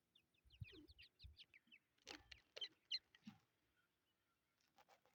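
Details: Chukar partridge chicks giving quick, high, thin cheeps in rapid bursts, several notes a second, then falling quiet, with dull knocks and thumps around them.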